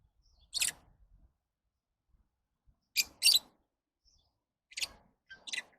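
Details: Lovebird making sharp, raspy chirps, single or doubled, spaced irregularly one to two seconds apart, with faint clicks between calls in a quiet indoor space.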